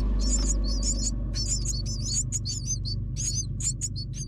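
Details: Myna chicks beg as an adult brings food, giving rapid, harsh, high squeaky chirps, several overlapping about three times a second, over a steady low rumble.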